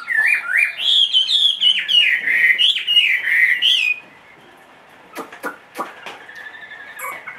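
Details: Big-bodied caged Chinese hwamei, two and a half years old, that sings wherever it is: about four seconds of loud, fluid whistling with rising and falling slurs. Silence follows, broken by a few sharp tapping sounds.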